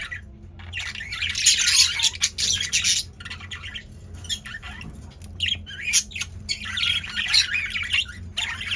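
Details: Caged male budgerigars in an active mood chatter in long buzzy, scratchy warbles mixed with squawks, with brief quiet gaps and a low steady hum behind.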